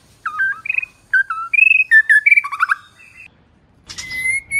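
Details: ['Female white-rumped shama call meant to fire up males into singing. Brisk sequence of short clear whistles and quick slurred notes, followed after a pause by a long steady whistle with a rustling noise beneath.']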